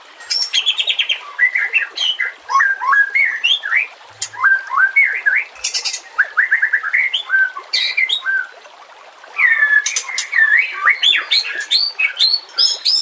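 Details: White-rumped shama (murai batu) in a master song recording for training birds, with natural ambience and water: long, richly varied song mixing bright whistles, quick chattering runs and squeaky high notes, broken by a few short pauses.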